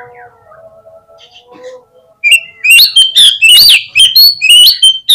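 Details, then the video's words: Magpie-robin lure song meant to make birds answer readily and fan their tails: a quiet humming opening, then from midway a loud outburst of sweeping whistles, scratchy notes and abrupt chips in quick succession. "PANCINGAN KACER INI BIKIN CEPAT RESPONESHIFT || AUTO RAJIN BUKA EKOR GAMPANG NYAUT"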